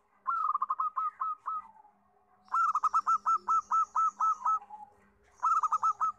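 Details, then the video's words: Big-voiced local zebra dove, kept as a tutor bird, cooing in three bursts. Each burst has a quick rolled opening, then a row of clipped, evenly spaced hooked notes, separated by brief silences. "PERKUTUT LOKAL GACOR (SUARA BESAR)"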